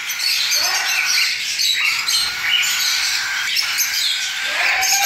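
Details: Recently fledged cockatiel chicks being hand-fed baby food. They give a continuous high, scratchy begging chorus with brief louder squawks mixed in.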